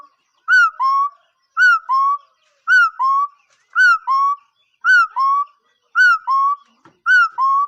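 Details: Bird giving a clear two-note whistled call, a higher falling note followed by a lower, steadier held note, repeated about once a second with little variation; a faint click near the end, otherwise a quiet background.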